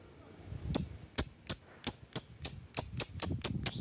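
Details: Lovebird used as a lure for rivals, giving a steady series of about twelve sharp, very high ticking chirps that quicken toward the end, against a quiet background.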